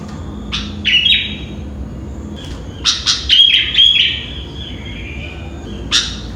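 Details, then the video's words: Sooty-headed bulbul singing early in the morning, around five o'clock: a loose series of high chirps and short whistled notes, some clear and slightly falling, in irregular bursts against a low steady hum. "Burung Kutilang atau Burung Gentilang Berbunyi dan Bernyanyi di Pagi Hari"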